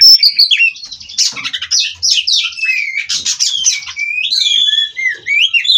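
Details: Kacer, an Oriental magpie-robin of the Cirebon line kept by a breeder, singing ngerol without stopping: harsh squawky notes and fast trills blend into long looping whistled phrases.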